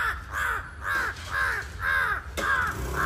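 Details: Crow calling powerfully and incessantly: harsh arched caws repeated about twice per second, steady and loud throughout, over low background rumble.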